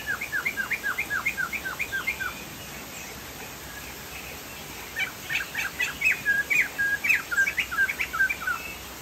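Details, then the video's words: Crested laughingthrush from Sumatra, singing actively: a fast run of clear, downslurred whistled notes repeated about four per second, a brief pause, then a louder, more complex series of rising and falling whistles, over steady background hiss. "POKSAY JAMBUL GACOR"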